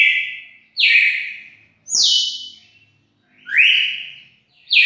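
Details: A red-cowled cardinal, recorded 4 February 2020, delivers strong ringing whistles, each note bright and slightly sliding, spaced roughly a second apart with brief silences between phrases.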